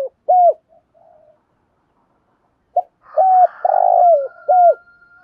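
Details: Spotted dove calling in quick coo phrases: short hollow notes with downturned ends, a pause, then a burst of several coos, one longer and wavering, with a faint high whistle in the background.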